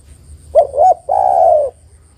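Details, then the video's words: One full phrase from a female spotted dove calling the male: two short throaty notes, then a long, steady, slightly falling coo. "TEKUKUR BETINA MEMANGGIL JANTAN"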